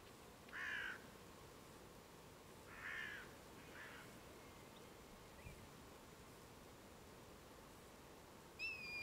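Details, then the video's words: Red kites, a gathering of over 100 birds recorded on 23 November 2015 in East Northamptonshire; a few thin, drawn-out descending whistled calls spaced a couple of seconds apart over steady low background rumble. "100 Red Kites"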